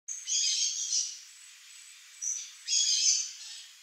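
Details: A Buff-throated Saltator visiting a backyard for fruit sings short bursts of bright, slurred phrases with brief pauses between them.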